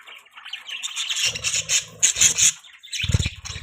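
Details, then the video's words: Budgies chirping, a jumble of high scratchy chirps and chatter, some sharp whistled notes near the middle, with low thumping and rustling noises mixed in. "Beautiful Budgies Chirping Sounds|Budgie Chirping Sounds|Budgies parrot sound"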